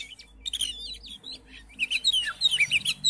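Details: Oriental magpie-robin song meant to stir another magpie-robin to sing: scratchy chirps and short buzzy notes at first, then a quicker run of bright warbled whistles, over a low background hum.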